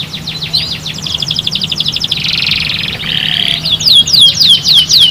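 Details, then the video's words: Canary singing, used to get other canaries chirping fast: quick descending notes, then a dense buzzy trill and a steadier rattling phrase, followed by bright downward-sweeping whistles; a faint low hum runs throughout. "bikin cuitan burung kenari cepat bunyi"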